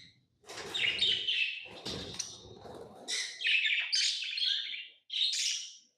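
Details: Tame lovebirds kept as pets chatter in rapid, high chirps in separate bursts, with a low rustling or handling noise during the first half.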